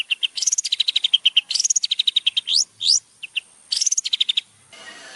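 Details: Long-tailed shrike master song for teaching captive birds: long runs of quick, evenly spaced high chirps, a buzzy rising phrase, two rising whistles, then fading into a soft hiss.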